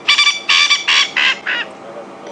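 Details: Male coqui francolin giving his sunset chorus at the end of the day at Djuma Game Reserve, telling other males this is his place; five coarse, buzzy notes that fall in pitch and shorten, then a brief pause.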